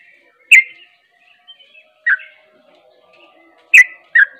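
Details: Sooty-headed bulbul giving loud ropel-style song notes: four sharp, bright chirps with downward-sliding tails, spaced irregularly with short silences between, the last two close together.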